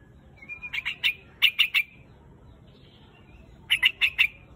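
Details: Calls of a white-headed bird known as quạch mốc, summoning its flock: short clusters of three or four loud, sharp chips, a faint thin whistle, then a long quiet pause before another cluster.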